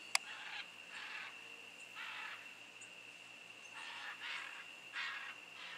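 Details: Two wild scarlet macaws living in jungle above a house in Osa, Costa Rica, January: repeated grating, hoarse squawks roughly every second, with a constant high insect hum behind.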